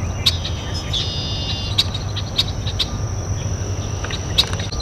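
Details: Red-winged blackbird at a local water basin: scattered sharp chips and one short, buzzy trilled phrase near the start, set against a continuous high-pitched insect drone and heavy low rumble.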